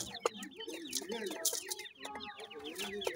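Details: Flock of raised grey francolin chicks giving constant sharp, downslurred peeps over a steady lower tone, with brief loud clicks among the calls.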